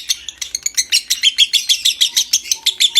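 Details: Lovebird in long ngekek song meant to bring on breeding condition, a fast run of scratchy, high chattering notes repeated around three times a second, with faint tonal whistles in the background.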